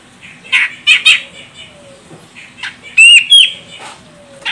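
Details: Female grey-cheeked bulbul of the Medan, Sumatra type, calling to provoke a male into singing: scattered harsh rasping bursts, then two loud whistled notes with sharp rising and falling sweeps, with quiet gaps between.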